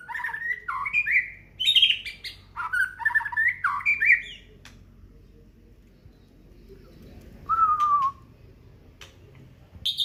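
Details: Aceh white-rumped shama song showing its isian fill-ins: a few seconds of rich, varied warbling phrases, a pause, then a lone descending whistle and a brief high note at the end.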